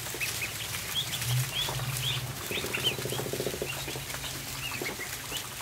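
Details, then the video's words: Group of ducklings feeding in a barn, scattered high arched peeps over constant pattering and pecking, with a low droning hum and a brief buzzing tone in the middle. "More Duckling Therapy"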